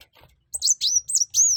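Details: Kuwul or kolibri wulung, a sunbird, in lively song: four quick, very high slurred whistles, each arching up then sliding down, delivered in just over one second.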